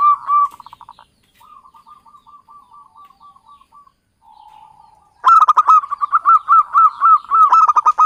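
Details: Local Javanese zebra dove used as a lure for trapping: runs of quick, soft, repeated cooing notes, then a louder stretch of rhythmic rolling coos with faint higher chirps alongside.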